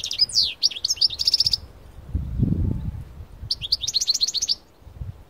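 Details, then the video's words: Parva-type European goldfinch brought outside to sing in nature. Rapid tinkling twitters and a rattling trill, a gap with low rumbling noise, then another quick run of bright repeated notes. "تغريد حسون بارفا قوة نار"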